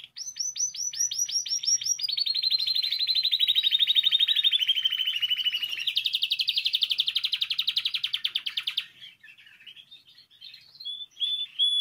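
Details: Training song from a Spanish timbrado canary: a series of quick swept notes leads into a long rolling trill sliding gradually downward, then a louder, higher trill, ending in soft scattered twitters.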